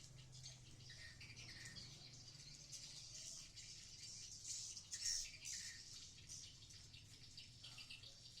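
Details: Swiftlets at a productive swiftlet building in Blokagung, Banyuwangi, East Java. Many high, dry twitters and rattling chirps overlap in a busy chorus, loudest near the middle, with a faint low hum.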